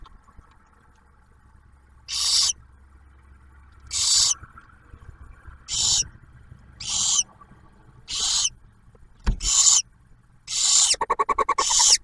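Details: Barn owls nesting at Ottawa National Wildlife Refuge, Ohio, where the male delivers food and the female feeds the first owlet: a series of about eight harsh hisses quickening in pace, ending in a rapid ticking rattle.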